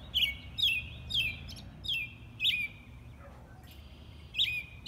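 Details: Repeated liquid, whistled phrases from an American robin, each short and falling, delivered roughly twice a second before a pause and one final phrase, with a faint low rumble behind.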